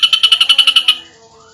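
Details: Brief burst from an ashy drongo in the tight 'nembak' style: ten evenly spaced sharp pulses in about one second, high and ringing, then a fading tail with faint low tones behind.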